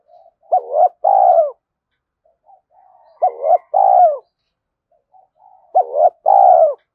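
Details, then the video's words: Spotted dove used as a decoy to lure wild doves, giving fast urging coos: three matching phrases about every 2.5 seconds, each a soft lead-in then two quick low notes and a longer hollow coo, in silence. "Tiếng cu gáy thúc gù tốc độ"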